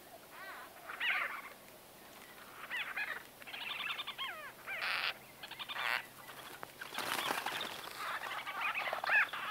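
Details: Several white-fronted bee-eaters in close-up conversation, trading bursts of rapid, rippling chatter with pauses between, ending in a dense noisy flurry of overlapping calls.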